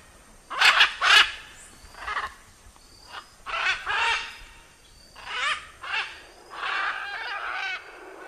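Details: Harsh, rasping screeches of a blue-and-yellow macaw, a quick double squawk followed by several single and paired raucous calls spaced a second or so apart.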